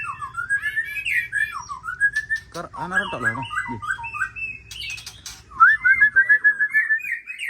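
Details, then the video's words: Varied white-rumped shama song of swooping whistles, harsh buzzy notes and chattering, ending in a quick run of clear repeated whistles, with low background rumble. "Suara Murai"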